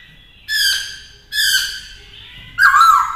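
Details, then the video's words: A captive black-throated laughingthrush being trained to sing gives three loud, rich, harmonic notes, each about half a second long, the last rising and warbled; no other sounds stand out. "Luyện Khướu hót nhiều giọng hay"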